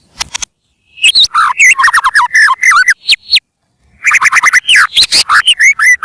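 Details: Bursts of varied white-rumped shama song for luring birds: choppy whistled notes, quick slurs and high chips in dense phrases, broken by a short silence midway.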